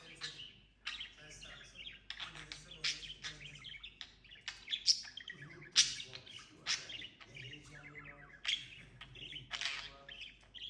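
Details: Caged pet budgerigar chattering continuously: fast scratchy warbles, clicks and short squeaky chirps, with a few sharper high notes, over a low steady hum.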